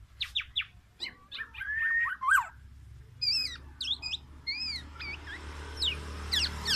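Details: Black-naped oriole singing a full repertoire of oriental magpie-robin imitations, meant to challenge other orioles: rapid varied chips, buzzy bursts and sliding whistles in quick succession over a steady low hum.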